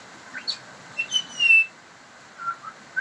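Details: Pied butcherbird song of clear, pure whistles, including a long, high, slightly falling note in the middle, then a few short, lower fluty notes after a pause.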